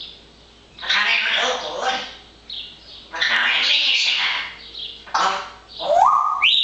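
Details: A lively parrot chattering in sunny weather makes three bursts of harsh, voice-like babble, then finishes with a quick whistle that sweeps upward in two steps.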